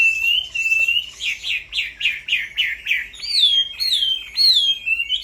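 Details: Striated grassbird song recorded at night, opening with a long wavering whistle, then a series of short buzzy downslurred notes about twice a second, ending with clear rising-then-falling whistled notes.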